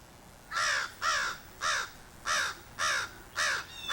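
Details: In a backyard in July, an American Crow gives six harsh, rasping, slightly downslurred caws about one every half second, loud against a quiet background. The owner calls it the fledgling, then the male, probably perched just above the camera, excited about something.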